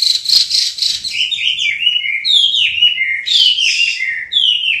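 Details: Chinese hwamei (Garrulax canorus), a songbird of southern China, singing actively: a rapid stream of loud, clear whistles with slurred, downward-sweeping phrases and some higher squeaky notes, varied throughout.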